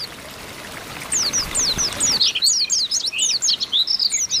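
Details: Oriental white-eyes in a group, females calling to stimulate males: faint hiss for a second, then a rapid run of high, thin, down-slurred chirps and short whistles, many overlapping toward the end.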